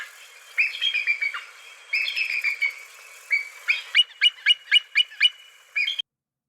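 Bald eagle giving thin, high piping chatters: slurred twittering runs, then a quick series of sharp notes about four per second.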